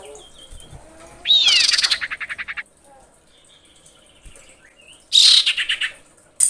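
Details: Common iora female calling to a male, two bouts: each opens with a loud, scratchy high burst and then rattles into a quick series of pulsed notes that slows toward its end. The bouts are separated by a quiet gap.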